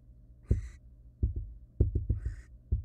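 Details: Barn owl in a wild nest box, thumping its feet in a quick uneven beat of low knocks, with two rasping screeches over the top.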